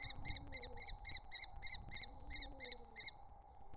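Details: Three wild common kestrel nestlings at the nest entrance; about ten sharp, evenly spaced calls in quick succession, with soft low cooing and a steady hum behind them.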